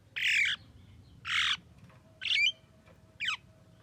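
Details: Three loud, coarse, rasping squawks from a Javan myna, a bird said to talk, followed by a short falling whistle, about one per second, with a steady low hum underneath.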